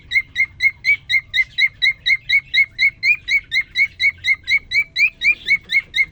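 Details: Male cockatiel (quarrion), caged, singing right after a new female was put in with him following three days alone: a fast, even series of short bright chirps, about two per second, steady throughout.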